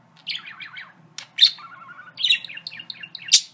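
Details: A pet parakeet sings and says a few favourite phrases: quick, high chirps and buzzy trills, with a lower throaty phrase midway that sounds like mimicked speech.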